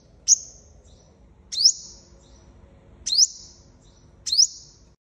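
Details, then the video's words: Five-coloured sunbird decoy calling to attract wild birds for trapping: four piercing high chips, each a sharp downward stroke with a fading tail, spaced roughly every second and a half, faint background hum. "Tiếng Chim Hút Mật 5 Màu Mồi - Gọi Chim Bổi - Âm Thanh Chuyên Dùng Đi Bẫy"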